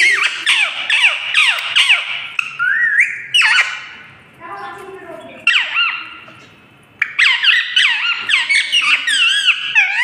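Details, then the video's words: Talking parrot producing rapid squawky, speech-like chattering with swooping harmonic notes, a quieter stretch in the middle with low murmuring, then a renewed burst of fast warbling syllables. "talking parrot"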